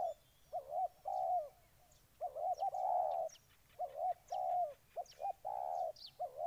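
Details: Spotted dove in Ninh Thuận, Vietnam, cooing in rolling groups of short and longer low notes, with frequent sharp high chirps and ticks from other small birds throughout.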